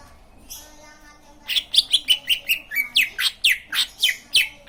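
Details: Green leafbird song said to draw other leafbirds into answering: after a faint opening note, a rapid string of piercing whistled chips begins, some flat and some dropping sharply, about four per second.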